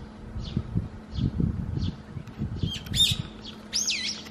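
Brown-eared Bulbul: three faint high notes, then two loud, shrill, squealing calls that sweep up and down. Low rumbling noise runs underneath.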